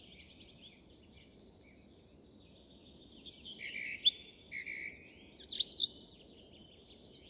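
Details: A song thrush's variant song, distant and high: thin faint twitters building to louder sharp, scratchy and squeaky phrases near the end, with steady low background noise.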